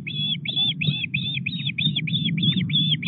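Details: Osprey at a nest at Llyn Clywedog, Wales, during a fish delivery on 4 August at 09:33. Rapid series of high, clear whistled chips, about three per second, over a low rumble of wind.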